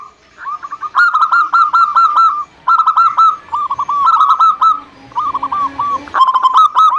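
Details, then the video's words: Zebra dove song played as a lure to prompt lazy caged doves to sing: rapid bursts of soft, bubbling coo notes in tight clusters, pausing briefly between phrases, then a louder, clearer run at the end. "Pancingan Perkutut Anti Gagal Bunyi Cocok Untuk Perkutut Yang Malas Bunyi"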